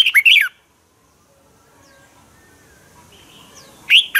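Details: Red-whiskered bulbul training song: a quick whistled phrase opens, faint distant whistles follow, then another loud phrase begins near the end.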